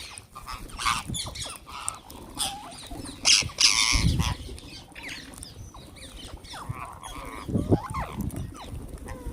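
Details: Wild green parrots being fed, giving loud grating screeches and short chattering calls in irregular bursts, with scattered thumps and rustling close by.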